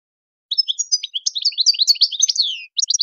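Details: Goldfinch performing Tadmait-style song for young birds to learn: after a short silence, a rapid tumbling stream of sharp high chirps closing with a drawn-out downward buzz, then a few quick notes.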